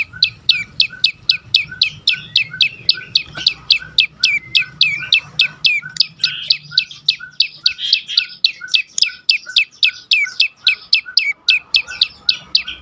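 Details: Prinia (prenjak lumut) song for luring other birds to sing: a long, insistent run of sharp chirps at almost four per second, each dropping quickly in pitch, with faint lower notes between.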